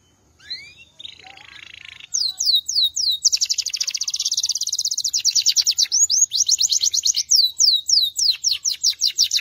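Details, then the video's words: After a soft quiet start, a Belgian canary bursts into loud song: a long rapid trill of repeated high notes, then a series of sharp descending whistled slurs. "Belgian Canary Chirping"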